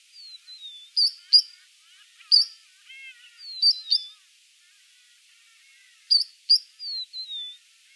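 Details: Three-banded plover in Kruger National Park giving high, thin whistles, some sliding downward, mixed with sharp piping notes in short bursts every two or three seconds.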